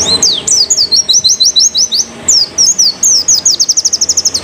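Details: A canary in moult giving its dominant 'shooting' song: fast, high trills of sharp chirping notes in quick bursts, about three a second, ending in a rolling run, in an otherwise quiet room.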